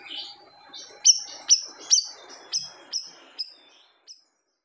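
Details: Loud song of a siri-siri bird, described as silencing other birds: a short run of piercing high whistled notes with sharp downward sweeps, about two per second, fading to a single final note and silence.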